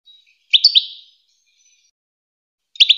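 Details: Goldfinch song meant for teaching hybrid chicks to sing: a short twittering phrase of bright, liquid notes, silence, then another quick burst of chirps.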